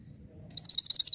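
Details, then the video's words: Mantenan bird (orange), kept as a tutor song for white-rumped shama, singing a quick run of about six high, sharp, buzzy notes, evenly repeated over half a second after a quiet start. "BURUNG MANTENAN ORANGE SEDANG BERKICAU"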